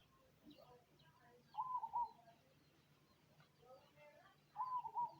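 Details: Cemani zebra dove in song, giving two short stuttering coo phrases with a clipped, bubbling rhythm about three seconds apart over faint background chirping and a low steady hum.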